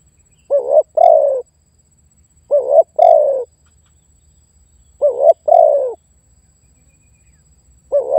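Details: Repeated spotted dove lure call for luring wild birds and challenging a rival: four phrases roughly every two seconds, each a quick double-humped coo joined to a drawn-out, softly falling coo, with no other sounds.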